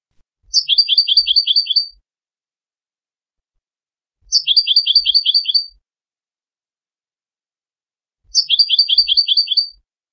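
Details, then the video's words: Goldfinch song phrase: a quick, tinkling trill of about a dozen sharp notes, heard three times, each repeat identical and spaced about four seconds apart, with silence in between. "Meilleur chardonneret , goldfinch song"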